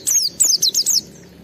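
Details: An Oriental white-eye in full agitated song, used to provoke and test other white-eyes, sings a quick burst of five very high, thin, down-slurred notes in about a second, with a faint background hum.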